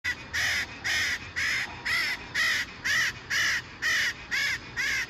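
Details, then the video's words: Parakeet calling in the city: harsh, raspy squawks repeated steadily about twice per second, ten even, evenly spaced calls with a faint low urban rumble beneath. "Maritaca na Cidade"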